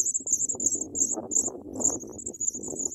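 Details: Nestling Sprague's pipits begging as an adult brings big worms: rapid high, piercing squeaks in short runs, with steady low rustling and shuffling noise throughout.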